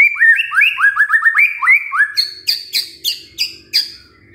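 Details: White-rumped shama song played as a lure to get a lazy male singing: a fast run of rising whistled slurs in a repeated pattern, then a series of sharp, harsh high notes about every quarter second.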